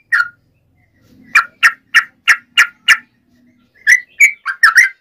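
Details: Yellow-vented bulbul in fighting song, meant to provoke other bulbuls into answering: a short note, then a run of six evenly spaced bubbly chirps about three per second, then a quicker jumbled burst of rising and falling notes.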